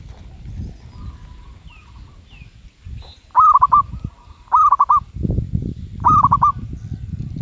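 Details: Medium-voice (suara sedang) cooing of a zebra dove: softer faint notes first, then three loud bursts of rapid staccato coos about every 1.3 seconds, each a tight trill of clipped notes, with low rumbling thumps between.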